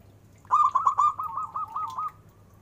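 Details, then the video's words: Zebra dove of a local strain, noted for its big voice, giving a quick run of about ten clipped coos that start loud and fade over under two seconds, with a low background hum. "Perkutut lokal suara besar istimewa"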